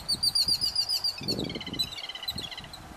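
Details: Yellow-billed babbler chicks being fed by adults: a rapid, steady run of harsh, high-pitched notes with rich overtones, several per second, over muffled low knocks and rustling.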